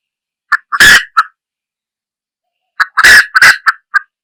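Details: Red junglefowl hen: a few short clucks broken by loud, harsh squawks, in two bursts separated by about a second and a half of silence.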